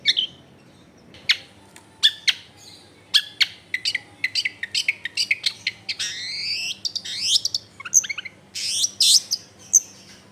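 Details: Long-tailed shrike singing varied, mimicry-rich material as a lure for other shrikes, recorded in a dense residential area: sharp clicks and ticks, then rising buzzy sweeps and high whistles, over a low steady hum.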